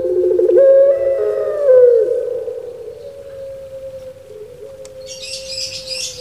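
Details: One long puter pelung coo from a kept bird in Java, Indonesia, rolling at first then held as a steady low tone that fades; a burst of high chirping from another bird near the end.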